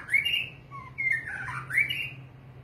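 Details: {'text': 'White-rumped shama, the long-tailed murai batu, singing a short run of clear whistled phrases that slide and warble at a fairly high pitch, ending with a rising whistle.'}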